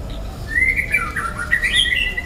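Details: Wild juvenile white-rumped shama delivering a continuous warbled phrase of fluid whistles that slide up and down, sweet and unbroken, against a soft steady background.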